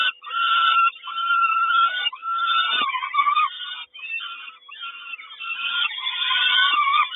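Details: Peregrine falcons at a nest in Kawęczyn on 3 June 2022, the mother bringing breakfast: a continuous run of harsh, drawn-out wailing cries with strong harmonics, barely pausing, some notes dipping slightly in pitch.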